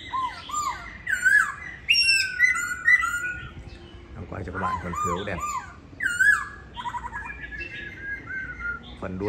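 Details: Caged laughingthrush at home in Hanoi, Vietnam, tail feathers being replaced: long, lively song of looping and downslurred whistles with harsh notes mixed in, a brief noisy patch midway, then more whistled phrases.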